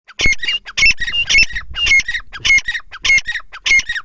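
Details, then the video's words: Partridge calling, a loud repeated harsh squawking phrase about every 0.6 seconds, each burst a cluster of sharp high notes with a whistled accent, delivered in a steady rhythmic series. "Teetar sound| teetar ke bolian he bolian"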